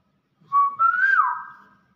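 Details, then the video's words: Brief whistled phrase of a Nias hill myna: a steady low note, then a gently rising and falling whistle that fades out. A faint low hum underneath. "BEO NIAS SUARA ASLI"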